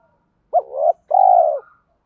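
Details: Spotted dove lure bird giving one cooing phrase in a deep 'thổ' voice mixed with the 'thúc' style to call wild doves in to fight. A short rising note slides into a wavering tone, then a long steady coo follows.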